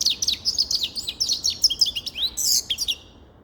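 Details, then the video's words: A grey-crowned goldfinch sings a fast, continuous jumble of high twittering notes and downslurred chirps, ending with a buzzy flourish. "Sava Sayrashi Седоголовый Щегол Голоса Птиц"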